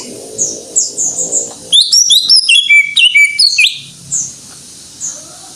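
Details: Greater green leafbird in full song, with faint high chirps leading into a dense burst of sharp, stepped whistles and metallic notes, then scattered soft chirps trailing off.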